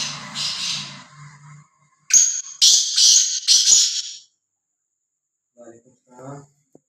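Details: Free-roaming, fearless black francolin (kala teetar) gives a harsh, grating burst of about four rasping notes in quick succession. A man speaks just before and faintly afterwards.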